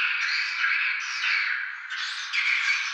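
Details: Tambunan swiftlets producing loud overlapping rasping chirps and trills, continuous throughout with short rising accents.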